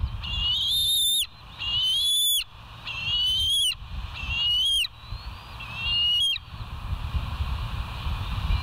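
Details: Live-cam bald eagle, West End, 08/04/2023: five loud, piercing whistled squeals, each slightly rising then dropping sharply at the end, separated by brief silences, then quieter fading notes and low rumble.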